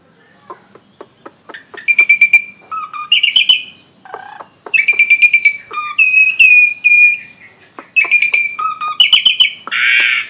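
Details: Asian pied starling from Indonesia in a loud, varied song: harsh chattering notes mixed with clear whistled phrases around mid-high pitch, repeated in bursts with short pauses, ending in a noisy rasping note.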